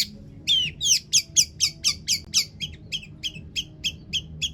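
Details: Long-tailed shrike singing as a lure for other shrikes: a rapid, steady series of about sixteen sharp chattering notes, loud at first and gradually softening toward the end.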